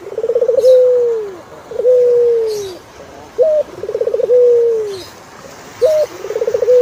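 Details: Turtle dove cooing: a brief higher note, then a fast pulsed tremolo that runs into a long, smooth coo sliding gently downward. The phrase repeats about every two and a half seconds, with faint clicks in the background.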